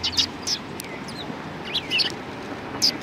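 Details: At a Tenmangū shrine on 1 March 2020, sparrows give bright, clipped chirps in small bursts separated by short pauses, with a quiet low hum in the background.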